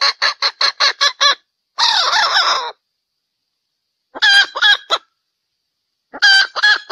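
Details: Hen making sounds during mating: a burst of short harsh notes, a longer rasping squawk, then two further clusters of clipped harsh notes separated by silence.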